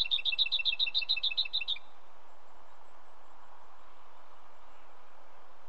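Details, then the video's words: Lesser whitethroat song: a rapid, dry rattle of about fourteen evenly spaced notes lasting under two seconds, followed by steady background hiss. "Lesser Whitethroat sound"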